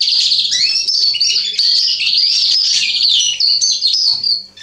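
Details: Singing male Atlantic canary, recorded 27.10.2020, delivers an unbroken, high-pitched warble of fast trills, buzzy rolls and sweeping whistled notes for over four seconds, then stops abruptly at the end.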